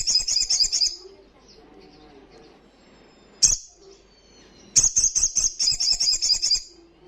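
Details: Olive-backed sunbird in loud ngalas song: a quick high buzzy trill, then a quiet gap with faint sounds and a sharp chip, followed by a longer run of rapid, pulsing high notes.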